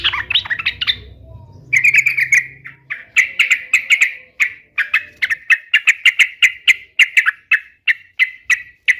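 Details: Sooty-headed bulbul, played so pet bulbuls reply: brief chatter, then a long series of sharp, buzzy notes repeated roughly three times a second, steady and even to the end.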